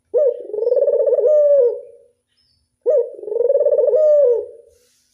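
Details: Two clean, separate coo phrases from a local Barbary dove in the classic angungan style, each starting with a quick upward flick, then a purring, pulsed middle and a long downward slur, with silence between.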